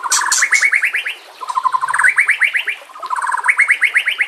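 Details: White-rumped shama master song with the same phrase given three times: a low rapid trill climbing into a series of sharp rising whistled notes, each phrase about a second and a half long.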